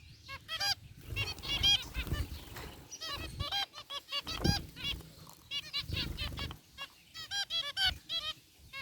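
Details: A group of caged zebra finches in an aviary, white and gray varieties, chirping: bursts of short nasal, harmonic-rich beeps repeated in quick irregular runs, with low background rumble between bursts.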